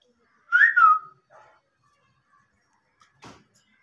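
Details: Talking Indian ringneck parakeet making a brief double whistled note that slides downward, followed by a soft murmur and a single dull knock.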